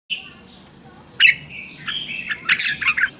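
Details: Red-whiskered bulbul song played to excite or train caged birds: a thin whistle, a pause, then a rising run of bright warbled notes with sharp chirps near the end.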